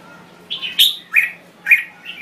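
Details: A Thai red-whiskered bulbul sings three or four short, bright, warbled phrases of middling pitch, each with a sharp clicky edge, about half a second apart over a faint low hum.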